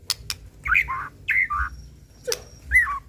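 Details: Murai pastol white-rumped shama lure song, a few short slurred whistled phrases separated by pauses, with sharp clicks and one low note.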